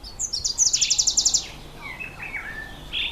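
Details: Red bishop in breeding season, males black and red, nesting in reeds over water; a fast sizzling series of about ten buzzy pulses in under a second, followed by soft chirps and whistled notes.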